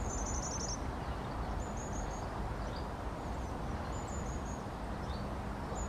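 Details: Long-tailed tit giving a string of high, thin trilled calls, a fine rapid trill at the start, then shorter high phrases and soft chips, with steady low-pitched noise underneath.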